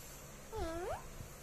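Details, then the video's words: Young eclectus parrot, six months and twelve days old, saying its first word, apparently "hello": a single smooth, tonal, two-part utterance dipping then rising, in a quiet room with a person speaking nearby. "Eclectus Talking!! Bobbie's first word at 6mos and 12 days old"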